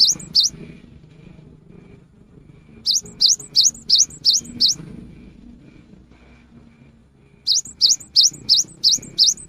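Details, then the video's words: A cinereous tit in rainy-season song, used as a lure, gives a pair of sharp high chirps, then two bursts of six or seven quick ringing notes, each rising-and-falling, separated by a pause; a steady faint tone persists. "GELATIK BATU GACOR | PANCINGAN AMPUH SAAT MUSIM HUJAN"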